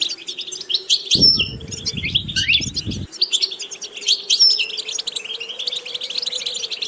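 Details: Trained European goldfinch singing a busy twittering phrase with a couple of thin, high whistled notes; a burst of wing flapping or low rustling interrupts for about two seconds early on, steady hum behind.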